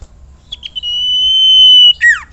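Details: Common iora used as a lure to prompt other ioras to call and sing actively: soft short notes, then one long, pure, steady whistle held about a second, ending in a quick falling double note.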